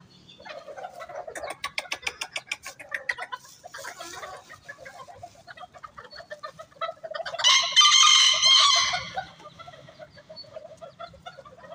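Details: Bantam chickens gather as they are fed at a workshop in Bandung, clucking busily in rapid repeated notes, while a rooster gives a harsh, strained crow partway through.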